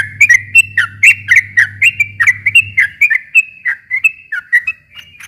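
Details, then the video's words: Sooty-headed bulbul song meant to make a silent bulbul sing back. Fast whistled, dipping notes repeat steadily and thin out toward the end, with a low hum during the first three seconds. "kicau suara trucukan gacor ropel panjang ini ampuh buat pancingan trucuk macet agar nyaut bunyi lagi"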